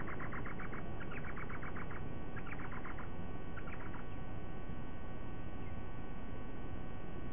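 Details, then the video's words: White-bellied sea eagle at its nest in Sydney Olympic Park, Australia, on 2 August 2023 at 06:32, giving quick runs of loud, honking notes in four short bursts, then falling quiet, over a steady low rumble. "White-Bellied Sea-Eagle"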